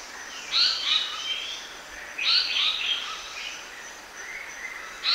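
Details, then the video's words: Black-naped monarch singing: bright, high chirping phrases in short bursts about every one and a half seconds, each a quick tumbling run of notes, over a faint steady background hiss. "Chim đớp ruồi gáy đen mồi hót, นกจับแมลงจุกดำ"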